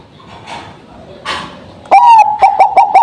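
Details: Bangkok-type zebra dove used as a lure bird after morning dew: after a second and a half of soft background noise, a sudden loud series of quick, clipped cooing notes follows, repeated rapidly.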